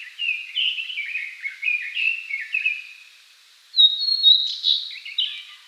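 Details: Blue-and-white flycatcher, one of Japan's three famed songbirds, singing; clear whistled phrases sliding between mid and high pitch, several short slurred notes, a pause, then brighter higher phrases.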